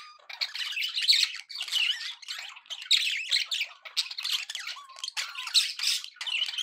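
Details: Happy budgie chatter from pet birds, a near-continuous stream of raspy, buzzy warbles mixed with short squeaky whistles and clicks, rising and falling in loudness about every half second.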